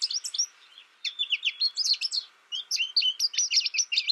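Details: Rapid high-pitched twitters and sweet slurred notes from an American goldfinch, delivered in bursts separated by short quiet gaps, each burst a jumbled string of chips.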